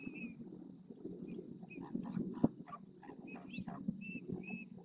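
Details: Several flamingos displaying together in the marsh at El Rocío, Doñana National Park, Huelva, Spain, filmed by a fixed camera; a steady low murmuring gabble with short nasal honking bursts and thin high whistles scattered above.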